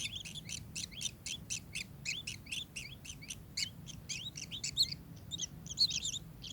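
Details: Kingfisher uttering dense, quick chirping notes, high and bright, in a steady burst that loosens into scattered, louder notes toward the end, over low background rumble.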